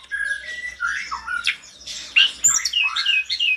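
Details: Mountain tledekan in energetic, agitated full song that prompts other tledekans to answer: varied clear whistles and slurred notes, some rising, others dropping, mixed with short squeaky phrases and quick bursts, with no pauses between them.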